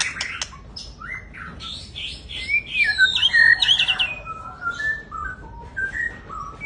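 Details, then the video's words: White-rumped shama, described as a big jumbo bird, delivers a rich varied song of clear whistles, slurred rising and falling notes and quick chattering phrases, loudest and densest mid-phrase, then spaced single whistled notes toward the end. "Riwik.an murai batu big jumbo"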